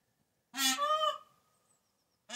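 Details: A peacock's harsh, trumpet-like honk lasting nearly a second, rich in harmonics and holding a steady pitch before fading. After a short silence a second loud call begins just as the recording ends.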